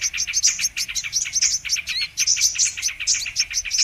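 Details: High, busy twittering of brown-throated sunbird from a trapping lure recording, with fast repeated sharp notes and bright short whistles overlapping almost without pause.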